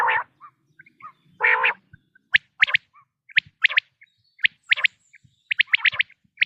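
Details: A common quail gives its autumn call: two low, nasal growling notes, then several bursts of sharp, liquid 'pwit' notes in twos and threes, bright and rapid, with no other sounds.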